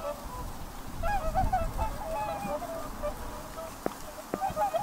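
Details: Whooper swans giving overlapping nasal, honking calls with bugle-like harmonics, several birds calling at once in loose sequence, over steady low rumble of wind or water and a couple of sharp clicks near the end.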